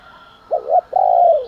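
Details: Spotted dove's morning fighting coo, close and clear: a low doubled note rising at its end, a brief pause, then one long, even, slightly falling hoot.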